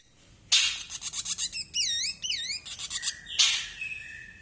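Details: Male ashy drongo singing: harsh raspy bursts frame a run of clear, wavering whistled notes that rise and fall in loops, then a steady high whistle trails off at the end.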